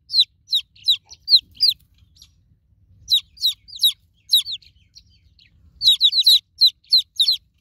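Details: Newborn chicks call for a broody mama hen in separated bursts of piercing, down-slurred cheeps, quieter gaps between the bursts and a dense flurry near the end.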